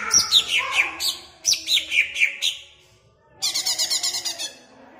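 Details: Caged greater green leafbird from Jatirejo, Ampelgading, Pemalang, sung to make caged birds excited: a string of bright falling whistles, a brief silence, then a fast, buzzy, pulsing trill.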